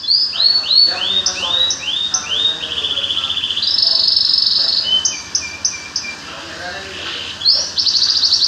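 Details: Songbird singing a rapid, varied high song: rows of downslurred whistles, then a sustained buzzy trill and sharp repeated chips, with quick phrase changes throughout.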